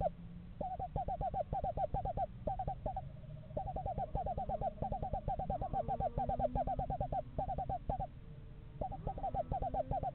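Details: Pair of Eastern screech owls house shopping in a yard in November: long, even, quavering trills of rapid pulses, with two overlapping trill series and short pauses between bursts, over a low background rumble.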